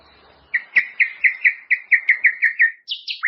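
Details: White-rumped shama song used to train caged birds: a fast run of about a dozen repeated downslurred chirps, then higher squeaky notes at the end, with faint background hum.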